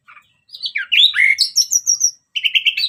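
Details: Orange-headed thrush, called anis merah, singing to lure other birds: a fluid run of swooping whistles and high twitters, then a rapid string of evenly repeated chirping notes.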